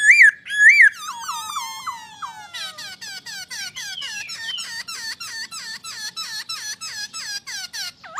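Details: Imported masked laughingthrush (poksay Hongkong) starting with two loud looping whistles, then descending chattering notes and a long, even series of repeated upswept squeaky phrases.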